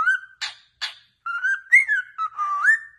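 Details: Pet cockatiel singing, recorded to train other cockatiels to sing: a warbled whistle near steady pitch, then two harsh broadband chirps and a run of sliding, rising and falling whistles.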